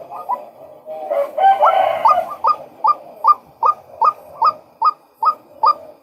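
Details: A short rough, grating burst opens, then a male White-breasted Waterhen settles into about eleven crisp, upward-hooked calls at a brisk, even rhythm.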